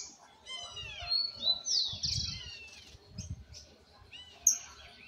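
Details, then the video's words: Argentine white goldfinch fledgling practising a misisipi song: descending whistled slurs, then a harsh buzzy rattle and brief twitters, with low thumps underneath. "Pichón el misisipi, con cositas por corregir pero la base está."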